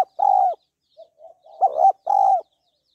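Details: Female spotted dove calling to stimulate a male: low, hoarse coos, one long note, a few soft broken murmurs, then a husky double note and another drawn-out coo, all at similar low pitch.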